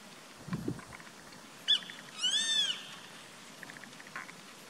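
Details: Grey-faced buzzard calling from a treetop on 14 April 2019 gives a sharp high note, then a drawn-out, arching whistle rising and falling, a clear 'pik-kwee'. A low thump comes early; the background is quiet.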